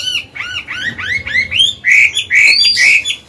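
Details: Mature Chinese hwamei singing in forest style, recorded to coach newly caught birds and excite males: a fast series of arched, downslurred whistles followed by louder, harsher, buzzier notes near the end.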